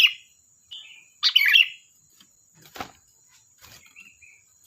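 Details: Sooty-headed bulbul in energetic song: a soft whistled note, then a loud bubbly warble, followed by quiet clicks and two faint short whistles over a continuous thin high tone.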